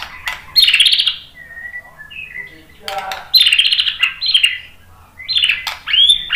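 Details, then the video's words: White-rumped shama song played to stimulate another bird into answering: varied bursts of loud, sharp, high warbled phrases separated by short quieter whistled notes and pauses. "KICAUAN MURAI BATU merangsang BUNYI jadi NYAUT GACOR NGEPLONG BONGKAR ISIAN ¦ PANCINGAN MURAI"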